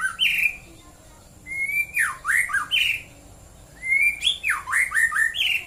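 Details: White-rumped shama morning song from Prambanan, Klaten, Central Java: two similar phrases, each opening with a clear rising whistle followed by several loud looping downward-swooping notes, with about a second of quiet between them.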